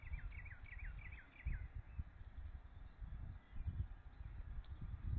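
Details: Bald eagles at a nest on May 16, 2013, at 6:30 pm, as the male delivers a fish and a self-feeding follows. A quick run of about six high, thin, down-slurred whistled notes opens the clip, then low rumbling handling noise.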